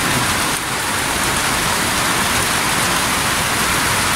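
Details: Steady heavy rain pours down throughout, a dense hiss across all pitches, with no animal voices audible.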